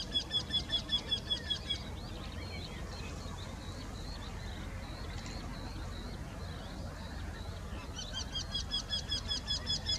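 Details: Eurasian wryneck song, two birds singing from one tree in Sweden: a rapid series of nasal repeated notes at the start, a quieter gap with distant bird calls, then another fast regular series near the end over low background hum.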